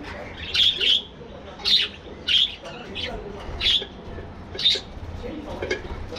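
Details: Budgerigars in a colony aviary: loud, clear, high chirping calls, single or doubled, repeated roughly every second, standing out over soft background twittering.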